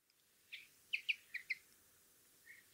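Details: Brambling, male and female, giving a short series of sharp chirping notes, about five in one and a half seconds, then a fainter note after a pause, in a quiet setting.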